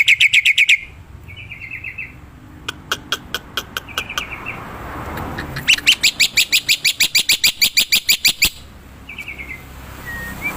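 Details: Black-winged myna in the wild: harsh rasps, buzzy trills and scattered clicks, then a long rapid run of loud grating notes and a few faint whistles.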